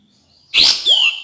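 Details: Cream-vented bulbul song played as a lure and therapy to stimulate birds that rarely sing: a sharp, loud whistled note slurring downward, then a second high, clear, bright whistle trailing off.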